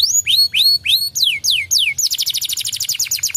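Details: Caged canary singing a lure song meant to stir another canary to sing: three rising-then-falling whistles, three quick downward slurs, then a rapid, even, high rolling trill.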